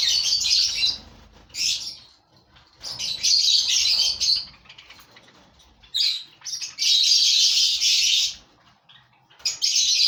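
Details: Lovebirds from a breeding colony of five pairs call in loud, grating screeches. Each burst lasts about a second, with longer shrill stretches between brief silences.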